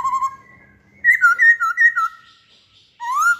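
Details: Masked laughingthrush singing a lure song. A short whistled trill and a held tone lead into rich, wavering two-note whistles, then a rising upslurred whistle after a brief silence.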